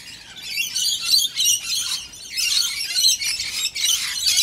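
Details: A feeding frenzy of Australian Rainbow Lorikeets over warm nectar with a dash of honey: many birds screech at once in a shrill, grating, overlapping wall of sound, swelling and dipping in loudness throughout.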